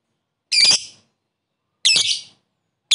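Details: Lovebird calling a rival in the 'koek' style to heighten other lovebirds' excitement; drawn-out grating shrieks, each about half a second long, repeated roughly every second and a half.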